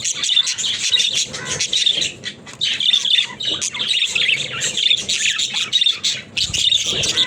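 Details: Pet budgies said to be talking pour out a long stream of scratchy, squawking warble, broken by a few short pauses, with a faint low rumble underneath.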